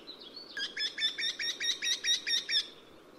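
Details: Eurasian wryneck singing: a quick run of about eleven loud, nasal, evenly spaced notes over two seconds, each with a ringing upper tone, preceded by a thin high note; quiet natural background.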